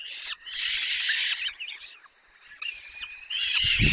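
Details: Begging peregrine falcon young at their nest, Barycz Valley, Poland, 6 May 2021, during a long feed: rasping, grating whines rise and fall, ending with a louder screech over low thudding.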